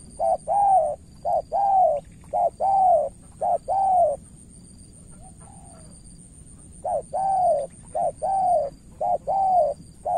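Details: Decoy spotted dove from Cà Mau, Vietnam, calling to an experienced rival. It gives pairs of a short coo plus a drawn-out falling note, about one a second, pauses for two seconds, then resumes. A faint high electrical tone persists.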